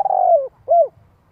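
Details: Spotted dove in 'giọng hạp' voice calling to lure wild birds; a long, rolling coo drooping in pitch, followed by one short rounded coo.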